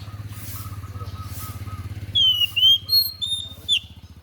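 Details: Unusual song of a white-breasted bird, used for song tutoring: after a steady low mechanical hum, a few loud clear whistles, one dipping, others level, closing with a short rising note, while the hum continues.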